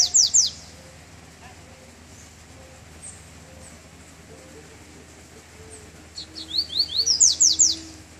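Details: Double-collared seedeater out of moult, on its first walk out in cold weather. The end of one phrase opens, then a long quiet pause, then a full phrase of rising chirps building into loud harsh falling sweeps.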